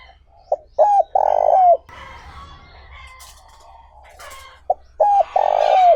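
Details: Spotted dove giving two coo phrases in the smooth 'trơn ròng' style used to lure wild doves. Each phrase is a short note, a double note and a long falling buzzy coo, with scratchy rustling noise between them.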